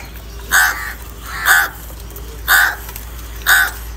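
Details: Crow caws tied to anger, fighting and calls for food, recorded live: four harsh, even caws spaced about one second apart over a quiet background.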